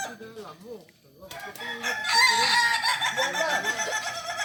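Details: Crowing Kokok Balenggek roosters at a practice contest in Ampang Kualo, Solok city. Wavering lower crow notes open the recording, then a louder chorus of high overlapping crows builds and holds.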